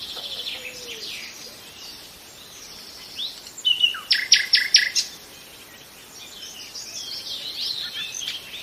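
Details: Nightingale song with soft scattered twitters, then a sharp whistle and a brief burst of four loud clipped notes, followed by quieter high warbling.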